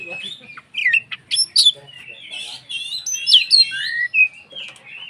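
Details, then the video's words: Energetic Oriental magpie-robin song, intended to make other magpie-robins agitated; quick jumbled whistles, sharp upslurred notes and a few buzzy squeaks in a continuous stream. "SUARA BURUNG Kacer gacor untuk PANCINGAN KACER agar EMOSI dan KONSLET"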